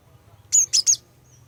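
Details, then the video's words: Female cinereous tit song, used to lure males into singing: a single quick phrase of three sharp, very high chirped notes, with a faint low hum beneath. "Kicauan Glatik Betina Pikat Gacor, Cepat Bikin Glatik Jantan Ikut Bunyi Gacor"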